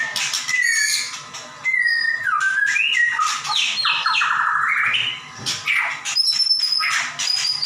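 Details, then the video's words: White-rumped shama in varied song, kept as a tutor bird: high whistles, a rattled descending series of fast notes, sharp chattering clicks and thin high-pitched tones. "Murai batu gacor nembak"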